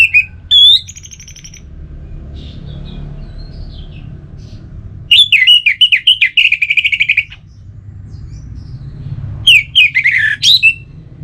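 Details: Orange-headed thrush singing in three bursts of loud, clear whistled phrases, high and sliding, mixed with quick chattering notes and pauses of near silence between them; a low hum runs underneath.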